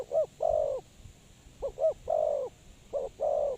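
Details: Lure spotted dove kept for bird trapping, uttering paired short hooting notes each followed by a long hollow coo, three phrases with pauses between them.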